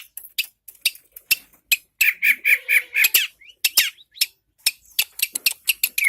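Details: Long-tailed shrike singing: harsh, scratchy squawks and clicks, then a run of about five buzzy, even notes near one pitch, followed by rasping bursts and quick chattering notes, with short silent gaps between phrases.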